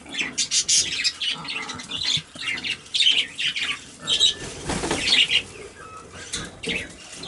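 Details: High, grating chatter from a pet Quaker parrot that talks and says "I love you": uneven bursts of harsh, squeaky syllables with brief pauses, one fuller, lower-pitched phrase midway, indoors with nothing else clearly heard.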